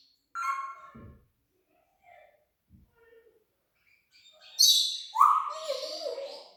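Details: Talking parrot imitating sound effects, giving short mid-pitched voice-like syllables and a few low thumps, then a loud bright screech followed by a steeply sliding whistled note and a buzzy trailing sound.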